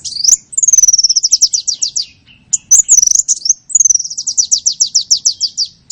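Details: High chattering trills of small birds, used as a lure: rapid repeated notes running for over a second, a short buzzy phrase, then another long descending whistle breaking into quick even chirps.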